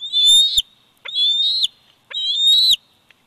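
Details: Wild bald eagle eaglet aged 104 days at a Big Bear Valley nest, recorded by nest cam on 27 July 2019, gives three long, piercing whistled squeals, each rising slightly and cutting off sharply, roughly one per second.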